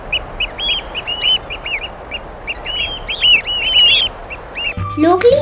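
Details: Several Eurasian oystercatchers (Haematopus ostralegus), a coastal wader, give shrill, piercing 'kleep' calls overlapping in quick bursts; music begins at the very end.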